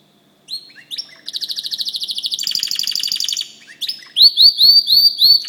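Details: Song of a white canary: a few scattered chirps give way to a long, evenly pulsed buzzing trill that steps up in pitch partway through. A string of loud, repeated upslurred whistles follows, with faint soft clicks in the background.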